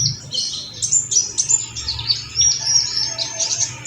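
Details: Olive-backed sunbird song used as a lure to excite other birds: rapid high-pitched twittering chirps and thin buzzy trills in quick succession, with brief bright whistles and a faint low background hum.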